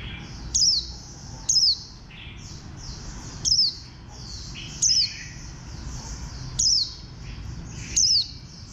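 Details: Bird number 04, a green white-eye (khuyên xanh) of bantam-like build, delivers six brief high notes that drop in pitch, spaced one to two seconds apart, over gentle background twittering.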